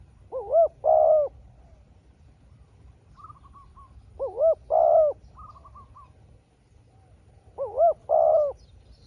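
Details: Spotted dove trading calls with a wild small-voiced dove; a double-note-plus-long-coo phrase repeats three times about every four seconds, with fainter higher trilled coos from the rival between.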